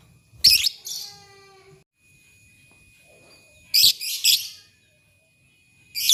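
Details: Morning lovebirds calling to one another. A sharp shriek is followed by a wavering, nasal harmonic note. After a pause comes a cluster of three rasping squeaks, with a faint steady whine throughout.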